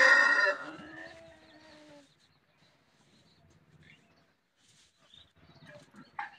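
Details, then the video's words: White rooster giving the tail end of a crow in the first two seconds, a harmonic call falling away, followed by quiet background rustling and faint distant sounds. "white rooster crowing|Rooster crowing compilation"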